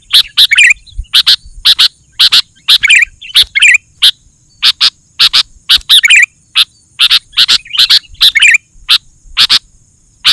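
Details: Sooty-headed bulbul in chatty song, meant to make other bulbuls agitated and answer: loud sharp chirps, often in pairs, mixed with short bubbling whistled phrases throughout.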